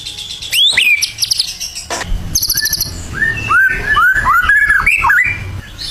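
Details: A champion burung batu in active song: a bright upswept whistle, a buzzy high rattle, then a rapid series of arching whistled notes repeated several times.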